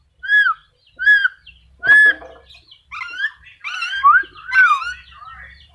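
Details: Black-capped lory uttering loud arched whistled calls, three evenly spaced single notes, then a faster run of rising and falling squealing whistles; background is quiet.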